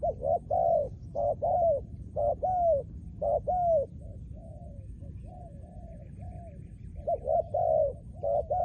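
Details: Spotted dove kept as a trained decoy bird, giving steady runs of soft, hollow coos, paired notes with slurred downward endings, a quieter stretch of fainter coos midway before loud phrases resume.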